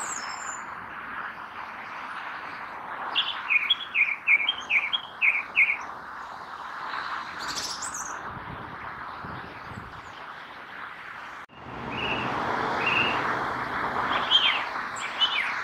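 Song Thrush song: a quick series of bright, clipped notes repeated in short bursts, then fresh phrases after a break, over a steady background hiss.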